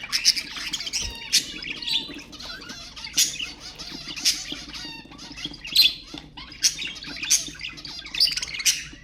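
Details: Budgerigar chatter meant to stimulate other budgies: dense high warbling with scratchy clicks, squeaks and short rising whistles, bursting in bright clusters about every second over a faint low hum.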